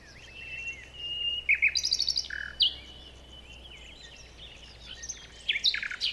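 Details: Chirping birds in a morning forest: a long thin whistle, a fast rattling series of high clicks, then scattered bright chirps and slurred notes, with a low steady hum beneath.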